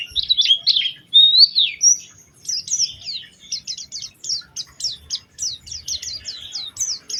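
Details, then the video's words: Oriental white-eye lure song in a distinctive melodic style meant to set other white-eyes singing: opening warbled phrases, then a long series of sharp high downslurred notes about every third of a second. "Pancingan Burung Pleci Gacor Cengkok Istimewa"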